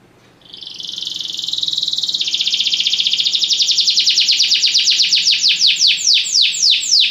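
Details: Belgian canary in song training: starts with a high sustained rolling trill that gradually breaks into separate descending sweeps, which get louder and slower toward the end.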